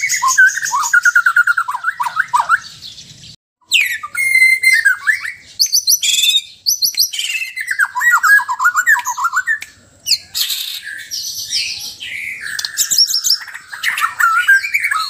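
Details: White-rumped shama from Sabah, Borneo, singing a mix of relaxed and loud song: rich, varied phrases of whistles sliding up and down, rapid trills and sharp chattering notes, briefly broken by a pause near the four-second mark.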